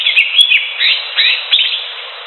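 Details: Wild cream-vented bulbul: bubbly, slurred chirping phrases in quick succession, each a short rising-and-falling warble, repeated about four times, over constant background hiss.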